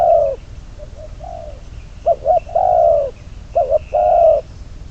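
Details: Trapping decoy spotted dove, number 22, calling close up: a long coo, soft short notes, then two full phrases of paired quick hoots leading into an extended low coo, with a faint thin whistle from another bird behind.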